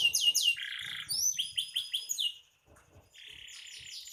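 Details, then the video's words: Lively canary song used as a tutor recording for songbirds: high rapid falling and rising sweeps, buzzy trills, a short pause, then a steady buzzing roll. "Suara burung kenari gacor"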